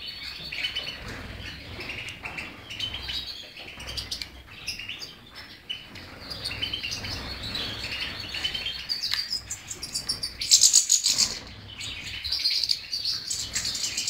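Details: Continuous high-pitched twittering song of a European goldfinch, a jumble of quick chirps, tinkles and short trills with uneven rhythm, rising to a louder bright burst near the end.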